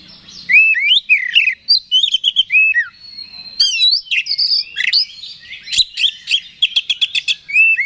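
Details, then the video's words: Oriental magpie-robin singing to provoke a rival: rich, varied whistles with swooping slurs early, then a fast series of short, sharp repeated chirps toward the end. "Suara Pancingan Kacer Agar Cepat Emosi Gacor ! Pancingan Paling Ampuh Buat Menaikan Emosi Kacer"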